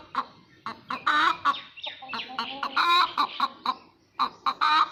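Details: Egg-laying hen making noise after laying: irregular series of sharp clucks building into drawn-out, raspy cackling squawks, then short clucks again.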